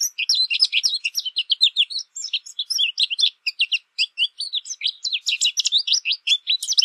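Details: American goldfinch song: a continuous rapid run of bright, twittering notes and quick up-and-down sweeps, varied and jumbled, with almost no pause over seven seconds; no other sounds.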